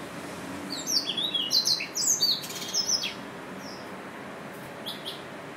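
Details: Yelloweye finch chirping: a two-second burst of quick, high, sliding tweets, then a few sparse faint notes over a low, even hiss of background noise.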